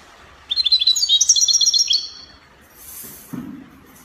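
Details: European goldfinch in copia style from Spain, recorded in Morocco: a rapid string of ringing, twittering notes for about one and a half seconds, followed by a brief hiss and a low thump.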